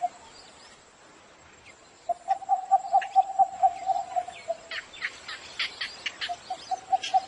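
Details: In the morning a cinnamon bittern delivers a steady run of hollow knocking notes, roughly four a second, followed by sharp chirps of other birds and a few more knocks; constant faint high whine.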